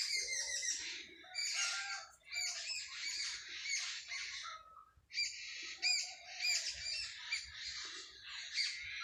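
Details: Sparrows chirping in a village in the early morning, a dense overlapping chorus of bright, high chirps and chattering notes with brief lulls, plus a few lower calls beneath.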